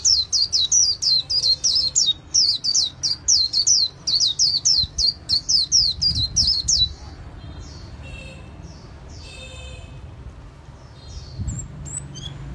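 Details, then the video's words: Líu xòe song of a white-eye kept by a bird artisan: about seven seconds of quick, evenly spaced high descending chirps, then a looser run of fainter, scattered notes. "Khuyên líu xòe tố chất"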